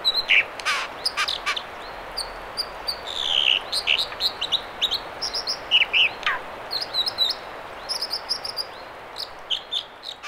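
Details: Beside the Mamquam River spawning channels near Squamish, British Columbia, an American dipper repeats high piercing whistles and harsh buzzy notes with brief pauses while the water rushes steadily.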